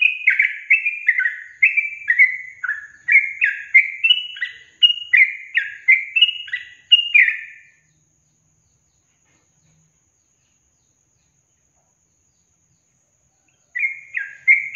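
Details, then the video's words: Sooty-headed bulbul song played to provoke reluctant young caged birds into singing: about eight seconds of quick, bubbly whistled notes, some rising, some falling, then a long silence before a short burst resumes at the end. "Pancingan Trucukan SUSAH BUNYI, BAKALAN dijamin dalam menit saja langsung NYAUT GACOR"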